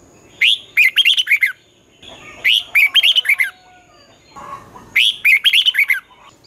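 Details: Red-whiskered bulbul singing a twisting-voice competition phrase, a morning song for training birds. Three loud phrases roughly every two and a half seconds, each a rising swoop then five or six quick warbled notes, with soft chatter between.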